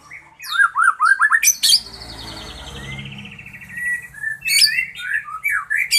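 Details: White-rumped shama, a fighter bird, in varied song: rapid descending whistled notes, sharp high chips, a long buzzy rasping trill, then more bright whistled phrases.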